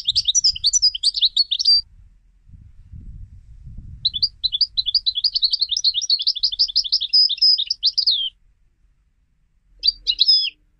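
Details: European goldfinch being trained for song competitions: bright, high twittering phrases of rapid tinkling notes, a short burst, then a longer run of quick repeated chips with a faint low rumble, and a final brief flourish.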